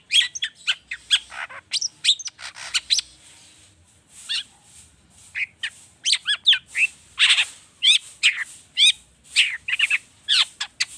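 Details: Long-tailed shrike lure recording, agitated and full of mimicked filler, used to prompt other birds to sing. A long varied medley of slurred whistles, trills and rasping notes, with a short quieter pause midway.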